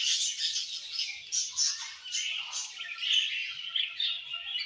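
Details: In the evening, several budgerigars sing a steady, bubbly warble of fast chirps, squeaks and buzzy notes that pulse in short waves.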